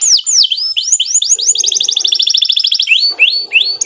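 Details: Canary song recorded as a lure for training birds: repeated rising and falling whistled sweeps lead into a fast, even rattling trill, then more upward-swooping whistles.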